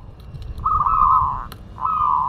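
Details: Local zebra dove from Madura singing actively: two drawn-out, slightly wavering cooing notes at mid pitch, the second after a short pause, over a low background rumble.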